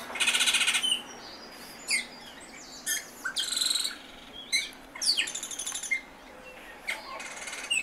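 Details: Song of an Austral thrush: it opens with a loud, harsh, rattling burst, followed by scattered sharp whistles, slurred chirps and a brief chattering trill, with pauses between phrases.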